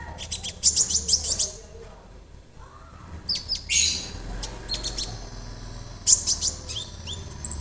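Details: A young, already-singing orange-bellied leafbird, kept as a tutor bird, sings in quick bursts of high, sharp chirps and clipped notes separated by brief pauses, over a faint low background hum.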